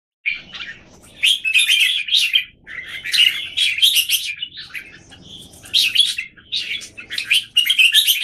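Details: Caged red-whiskered bulbuls in Singapore, one bird in cage A facing a group of others, recorded 17 January 2019; dense bursts of bright, chattering chirps and short whistled notes, phrases separated by brief pauses.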